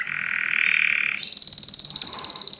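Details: Canary song meant for tutoring other birds: a long, even buzzy trill held about a second, then a sudden switch to a higher, faster, bright rattling trill.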